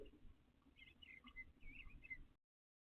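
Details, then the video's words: Male eastern bluebird gathering pine straw for a nest in a backyard during nesting season; faint warbled, slurred notes over two seconds, then abrupt silence. "Live Blue Bird Day 4"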